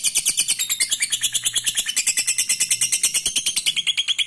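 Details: Lovebird ngekek trill, played to provoke rival birds. A shrill, fast, evenly pulsed chatter runs steadily, at roughly three notes a second, for the whole four seconds.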